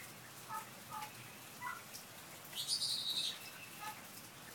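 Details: Pied butcherbird singing and mimicking car alarms and a cat's meow while sheltering from rain under verandah eaves; a few short mid-pitched whistles lead into a bright, harsh, high burst lasting under a second, with rain in the background.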